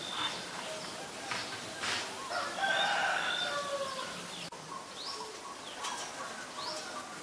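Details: Black-collared starling calling in Ubon Ratchathani, Thailand, on 17 April 2022, with a run of clear, slurred whistles and raspy notes. Sharp clicks and quick upward-sweeping chirps from other birds are heard nearby.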